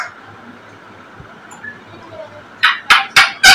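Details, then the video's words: African grey parrot: after a quiet stretch of low hum, four loud, harsh, rasping squawks burst out in quick succession, about three per second. "African Gray Parrot || BIRD SNINGING AND DANCING"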